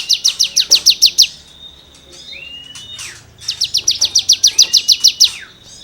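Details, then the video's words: Cigun singing for songbird tutoring: a quick train of piercing high chips, a pause filled with soft slurred whistles, then another fast run of the same sharp repeated notes. "CIGUNG GACOR FUL NEMBAK MATERI GESEKAN BURUNG KICAU"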